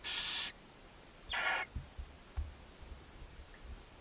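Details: At a Hungarian barn owl nest box in Ságvár, May 4, 2024, where the mother feeds her seven owlets, two raspy hissing screeches sound about a second apart, followed by soft knocks and shuffling.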